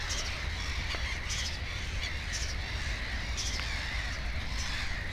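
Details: At a nest with two chicks, a black-headed gull utters short raspy calls about every second, amid other calling gulls and steady low-pitched background noise.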